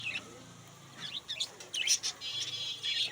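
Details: Budgerigars at a bird market giving sparse, sharp high chirps and short warbled notes in scattered bursts, over a low background hum.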